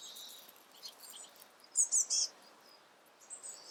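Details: Great spotted woodpecker, a fledged juvenile being fed by the female parent: three loud, very high, buzzy notes in quick succession, with softer high chirps scattered before and after.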